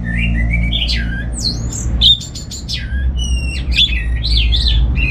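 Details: Orange-headed thrush, kept in Singaraja, North Bali, sings receh-style. It gives varied squeaky slurs and looping whistles, with a brief pause at two seconds, against a loud low hum.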